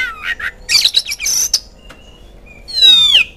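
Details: Oriental magpie-robin singing as a lure to make kept birds answer: a few quick chirps and scratchy bursts, a pause, then one long bright whistle that sweeps down in pitch.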